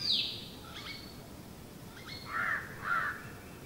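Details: Southern hill mynah (Gracula indica) filmed around Hantana and Udawattekele, Kandy, Sri Lanka; a high piercing note opens, then the two-note piercing signature call comes as two loud, clear notes about half a second apart, with quiet hiss between.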